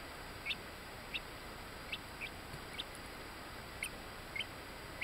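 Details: Ten-day-old buff black-laced bantam Orpington chicks in Binzen, May 2013, giving soft, thin, high peeps scattered irregularly over a steady background hiss.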